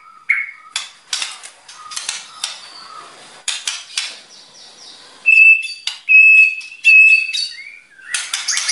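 A white-rumped shama sings a rich, varied song of sharp clicks, rasping bursts and short whistles, then a run of clear high whistles about once a second.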